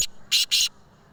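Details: Black francolin in Sindh, Pakistan, giving harsh, rasping notes: one brief scrape, then two longer grating bursts in quick succession, over a quiet background.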